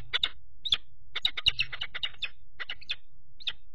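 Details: Peregrine falcon calling at a nest on 4 April 2008 while a third falcon repeatedly attacks the male standing on the grating; the female keeps incubating in the nest box. Harsh, clipped kek notes come in rapid irregular runs, with a low background rumble.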